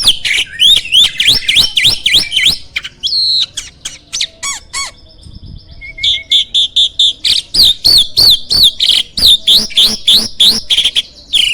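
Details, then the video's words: Champion starling song, meant as a master for training competition songbirds: fast runs of sharp clicks and rising squeaky whistles, a brief pause with thin tones, then renewed rapid chattering. "MASTERAN BURUNG JALAK SANG JUARA!!"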